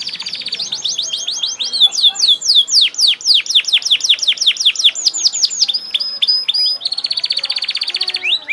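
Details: Canary in full, lively song: fast tours of repeated downslurred notes, a long rattling trill, sweeping whistles, then a dense buzzy trill near the end, with slight background hiss.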